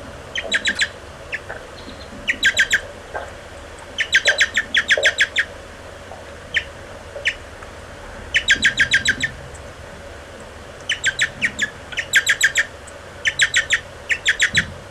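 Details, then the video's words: Young American goldfinches begging during feeding, 30 July 2011, one adult bringing food and another feeding; rapid bursts of four to six bright squeaky chirps repeated every second or two, with scattered single notes. "American Goldfinch (Czyż złotawy) 30.07.2011. Karmienie"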